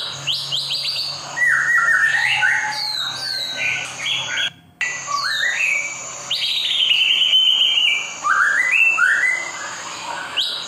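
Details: White-rumped shama song used for stimulating caged birds to sing: a rich, varied run of rising and falling whistles, slurs and short sharp notes, with a brief break midway and a low hum behind.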